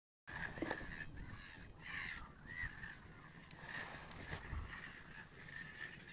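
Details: Male American wigeon x Eurasian wigeon hybrid at Lille Vildmose, Aalborg, Denmark, on 10 April 2013, gives short whistled calls every second or so, steady in pitch, over a constant low rumble of wind.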